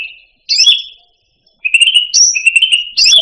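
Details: Cucak rante, the Indonesian grassbird, singing as a tutoring recording for caged songbirds: a brief whistled figure, a pause, then rapid rattling trills broken by higher sharp whistles.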